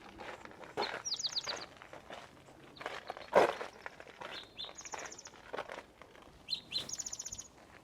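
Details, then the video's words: A songbird gives several high, rapid phrases of sweet, trilled and down-slurred notes a few seconds apart, with footsteps and rustling nearby, in the Santa Fe Botanical Gardens on Museum Hill, New Mexico, high country with junipers. "Do you hear that bird? It has the most beautiful sound. I'm going to try to film it."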